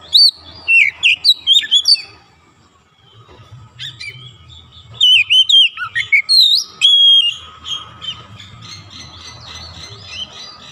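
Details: Magpie robin, a caged kacer, singing loudly after brief coaxing: bursts of rich whistled phrases with rising and falling slurs, then a quiet pause and a second run of varied whistles and chatter; faint low hum behind.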